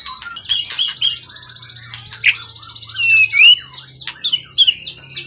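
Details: Competition bird from the forest, tail over 20 cm, calm after long keeping: a steady high buzzy rattle held for seconds, then slurred whistles and quick chirped phrases, with a faint low hum behind.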